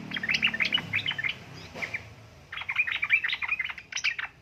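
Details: Yellow-vented bulbul female calling a male: two runs of bright, spaced chirps and short warbled notes with a brief gap between, over a noisy low background.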